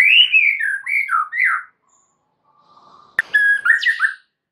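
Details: White-rumped shama song used as a lure to get other birds singing, full of varied phrases: rich slurred whistles and rapid warbled notes in two bursts separated by a short pause.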